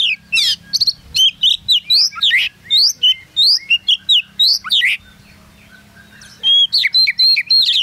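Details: Champion caged magpie-robin at the DanBrigif Cup bird contest, Singkawang, heard from right under its cage; a long fast sequence of loud varied whistles and chirps, a brief pause, then another rapid burst.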